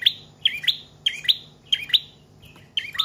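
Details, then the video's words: Trotol or paot prinia, a long-singing bird used to lure and train cage birds, giving loud paired high chirps, each pair about every half second, with a brief gap before the last. "Prenjak Trotol/Paot Gacor Panjang"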